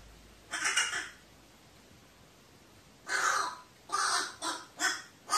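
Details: Harsh, hoarse caws from a crow on 15 May 2018, described as terrified: one short call, a long pause, then four rough calls in quick succession near the end, in a quiet setting.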